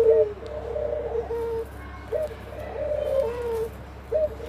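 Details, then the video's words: Dove song from a family group: mellow, low coos in drawn-out phrases with brief upward notes between them, over a steady low background hum. "dove song and family"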